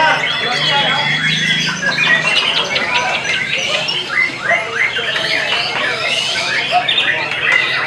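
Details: White-rumped shama singing a dense, fast stream of varied whistles, harsh squawks and chattering notes with barely a pause, plus a low hum at the start.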